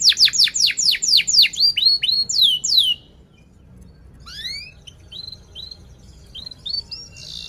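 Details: Canary singing loud descending whistled notes in quick succession, then a quiet gap followed by softer rising chirps and a short buzzy note. The song is meant to prompt young or silent canaries to sing.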